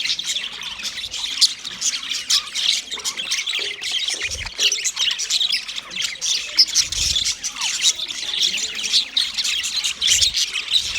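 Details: Continuous chirping of white male budgies while mating, several birds producing overlapping high raspy squawks and twittering warbles, with a few faint low bumps.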